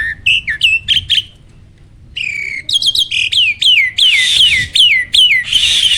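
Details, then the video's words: Starling singing a training song meant to provoke other birds into answering: clear whistled notes, some sliding down from high to lower pitch, delivered in quick bursts with a short pause midway. "MASTERAN BURUNG JALAK AMPUH!!!"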